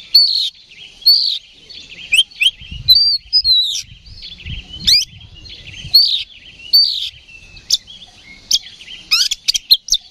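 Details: Oriental magpie-robin in provoking fight song: repeated bright, hooked whistles roughly every second, later a flurry of fast rising chips, with faint low rumbling underneath.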